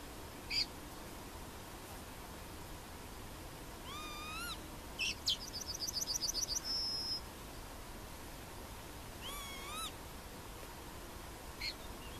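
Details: Yellowhammer (Emberiza citrinella) at Plochocin, July 2013, giving one quick series of high clipped notes that finishes in a long sustained note, among repeated rising, harmonic-rich swooping calls and soft background hiss.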